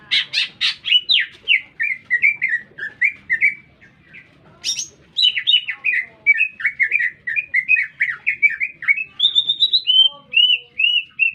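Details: Lesser green leafbird singing loudly and continuously in a city, long strings of rapid chirps and whistled slurs, a short pause, then another busy chattering phrase ending in level whistles; faint background rumble.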